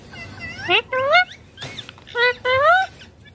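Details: Rose-ringed parakeet talking while playing with a mobile. Four or five clear, rich-toned syllables sweep upward and then dip, in two paired bursts separated by a brief gap, over quiet room hum.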